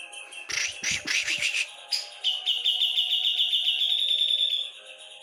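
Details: Javan grey-cheeked bulbul (cucak jenggot), singing loudly in the gacor style: a burst of rapid chattering notes, then a long, steady, high trilled whistle held for over two seconds before it stops abruptly.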